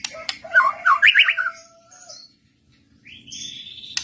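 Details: White-rumped shama recording used to lure other shamas into singing back; a burst of rich rapid whistled and chattering notes, a pause, then a long steady high whistle.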